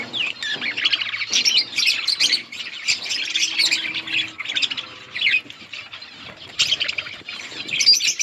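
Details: Budgerigars in an outdoor colony chirping while eating: a dense flock chatter of quick high chirps, warbles and squeaky notes, overlapping continuously with brief louder bursts and short lulls.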